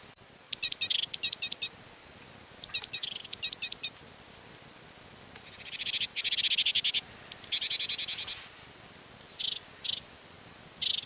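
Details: Great tit (Parus major) in León, Spain, March–April 2019, giving short runs of high, ringing, rhythmic notes in quick repeated phrases, broken by harsh buzzy churring bursts.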